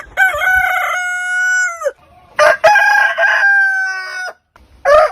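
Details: Rooster crowing, from a collection spanning many heritage breeds. A long, steady, level crow of almost two seconds drops sharply at the end. A second drawn-out crow follows, then a short burst.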